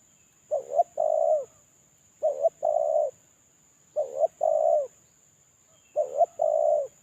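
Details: Spotted dove used as a lure bird, moulting and singing alone, repeats its coo phrase four times at regular intervals of about 1.8 seconds. Each is a hiccuping double note followed by a sustained mellow coo. A faint electronic whine persists.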